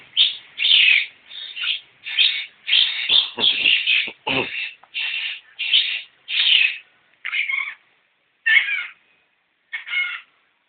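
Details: Young long-tailed shrike giving a series of loud, rasping, buzzy notes spaced about half a second apart, ending with a few more nasal, broken calls separated by longer pauses.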